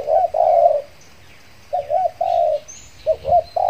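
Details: Spotted dove used as a decoy to draw in wild doves, Riau Islands, Indonesia, after finishing moulting; two long coos, a pause, then a rolling coo and a held note, ending in quick double coos, faint high chirps behind.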